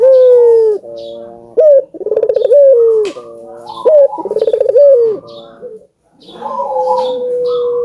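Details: Albino ringneck dove cooing, played to encourage doves to sing: a long falling coo, then repeated sharp rising notes and rapid rolling trills every two seconds, ending with a softer, more distant coo.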